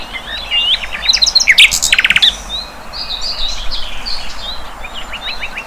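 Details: Wild flycatcher, local name sikatan londo, singing: a mix of quick high chirps and short dry rattling bursts, then softer scattered twittering notes over a steady background hiss.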